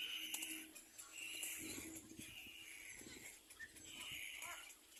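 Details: Little black cormorant nestlings compete for food with repeated wheezy squeals, each drawn out for about half a second, over low thumping and rustling.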